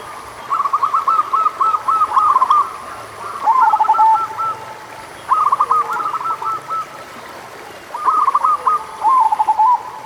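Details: Local zebra dove cooing, used to prompt doves that are slow to sing: mellow stuttering phrases of rapid soft notes, each ending in a drawn coo. The phrases repeat roughly every three to four seconds.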